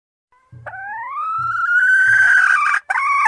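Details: Red junglefowl lure call: low soft thumps, then a long drawn-out crow rising and holding steady, breaking off with a short final note.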